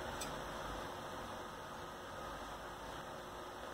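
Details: A steady fan-like hiss fills an indoor room, with one brief click near the start and no animal calls.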